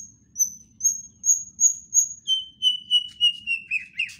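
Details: White-rumped shama delivering a steady series of high whistled notes that drop to a lower, evenly repeated run, ending in a scratchy flourish.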